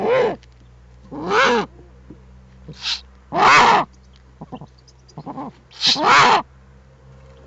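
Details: Eurasian eagle-owl nest with an adult and owlets, recorded by webcam on 21 April 2020: loud, breathy, hissing rasps repeated at uneven intervals of about one to two seconds, with softer clicks between them and a steady low hum.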